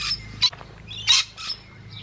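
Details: Musk lorikeets feeding, giving short, shrill, screechy squawks in quick bursts with brief gaps between them, some notes harsher and louder than others.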